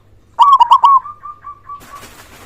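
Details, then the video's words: Local loud zebra dove used to rouse silent doves: one fast stuttering coo phrase trailing into a series of softer, evenly spaced coos, then a rustling noise like flapping. "Perkutut lokal gacor suara besar"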